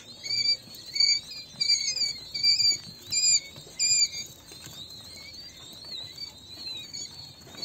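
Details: King quail chicks calling in high, thin, slightly falling peeps, delivered in clustered bursts about every second or so, then fading to quieter scattered peeps.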